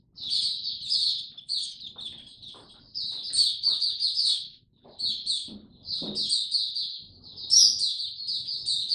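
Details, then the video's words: Caged white-eye singing a long, fast sequence of high chirps and trills in bursts of several seconds, separated by short gaps, with occasional faint clicks underneath. "Mata Puteh Hercules buka sing"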